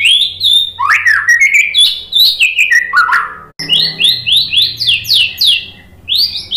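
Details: White-rumped shama lure song: cascading downward whistles, a short break, then a regular series of high slurred notes repeated about twice a second.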